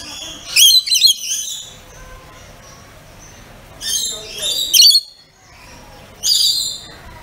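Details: Pet rainbow lorikeets making their loud calls. Clusters of piercing, harsh, rasping screeches come in bursts of two or three, separated by pauses of several seconds.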